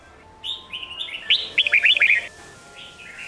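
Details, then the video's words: Red-whiskered bulbul in Sông Kôn style song for young-bird voice training. Brief lead-in notes build into a quick run of loud, sharp, chirping whistles lasting under two seconds, then a faint closing phrase over a low steady hum. "Luyện Giọng Chào Mào Đỉnh Cao | Tận Hưởng Âm Thanh Tuyệt Vời Của SÔNG KÔN | Ép Giọng Chim Non"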